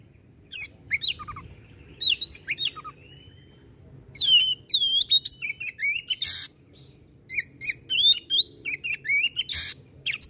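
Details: Varied 'tembakan' song of a white-rumped shama: a few opening whistles, then long rapid sequences of swooping whistled notes and harsh buzzy bursts separated by short pauses.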